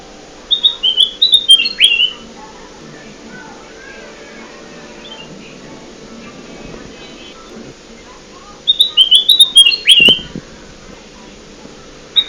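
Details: Kutilang emas (golden bulbul) lure call for trapping birds: a quick run of high whistled notes closing with a swooping slur, repeated after a long quiet gap, with faint background hum.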